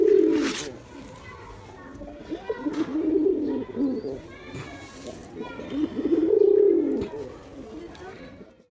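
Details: Performing male Giribuz pigeon cooing in two bursts of low, rumbling, wavering notes separated by a quieter stretch, with sharp clicks and human speech audible around the calls.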